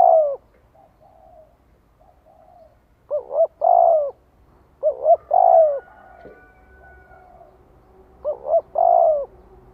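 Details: Decoy spotted dove cooing to draw wild doves into a fight: three phrases of paired quick notes and a long husky coo, separated by quieter soft coos and pauses.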